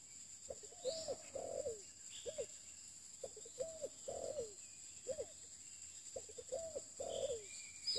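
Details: Spotted dove cooing, described as a new bird used for luring: grouped mellow coos, two or three quick notes then a fuller sliding note, repeated about every two and a half seconds. Faint higher chirps and a constant high hum are also audible.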